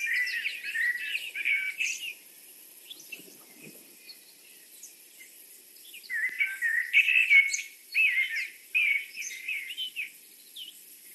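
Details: Osprey at the nest one evening: a female sits in the nest while a male delivers a fish. Two bursts of high, piercing, rapidly repeated cheeping whistles separated by a quiet pause, with scattered small-bird chirps behind.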